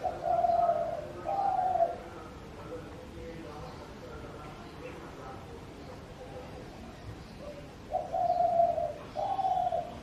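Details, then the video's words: Spotted Dove gives soft, low cooing notes in paired phrases, a pause, then the pair again, over faint background hum. "Sound of Spotted Dove bird / फाख्ता की आवाज़"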